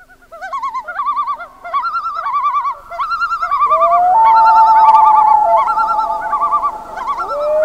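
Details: At night in summer lake country of northern Canada, common loons give rapid wavering tremolo calls in repeated bursts, laugh-like and yodelling, while a long plaintive wail rises midway and holds beneath them.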